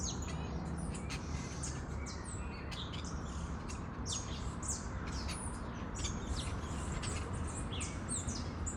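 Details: Free-living parakeets out in nature, a flock giving a dense, overlapping chatter of sharp, high, sliding chirps that continues without pause, over a steady low rumble of background noise.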